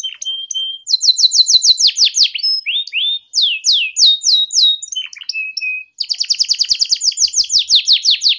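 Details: Canary tutor song for young learning canaries in ngeriwik style: a flat whistle, rapid descending trills, rising slurs and a steady whistle, ending in a long fast trill.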